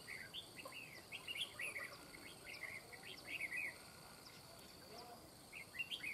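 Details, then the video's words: Red-whiskered bulbul heard during a bird-trapping session for an escaped bird: short warbled, chirpy phrases in quick bursts, clustered in the first few seconds and again near the end, over a steady hiss of background insects. "Bẫy chào mào LƯNG TÔM, SIÊNG CẦU MAU MỎ ( chim sổng ) CÚP CẦU BỘ ĐẸP"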